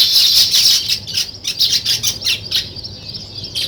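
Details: Nest-building weaver birds chattering: a loud rush of high chirps, then rapid sharp notes repeated about four times a second, uneven in rhythm, with a soft low rumble beneath.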